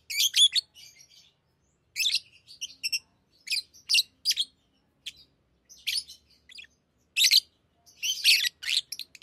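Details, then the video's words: Tame pet lovebirds chirping and chattering in short bursts of harsh, high squeaky notes, with gaps between bursts and little background sound. "Love birds Talking | Singing Sounds"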